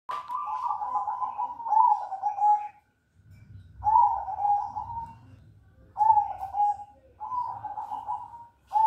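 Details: A crossbred zebra dove (perkutut) sings soft, rolling trilled coos that sag slightly in pitch, in phrases of one to three seconds with brief pauses, over a low background rumble.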